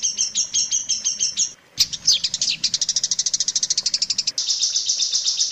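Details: Long-tailed shrike tutor song used to train other shrikes: doubled high chirps in quick succession, a brief gap, then varied sliding notes running into a fast, even trill and a dense buzzy stretch.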